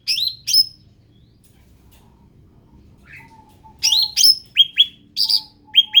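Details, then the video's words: {'caption': 'Ruby-throated bulbul, an endemic bird, giving two bright downslurred chirps, then after a quiet gap a lively run of sharp chirps and falling whistled notes. A faint low whistle sounds in between.'} "SUARA ASLI CUCAK RANTING"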